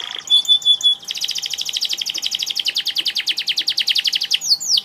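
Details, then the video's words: Canary in vigorous song: a short whistled note, then a fast even trill of about eight crisp notes per second held for over three seconds, ending in sweeping slurred notes; a faint steady hum runs beneath. "Kenari gacor"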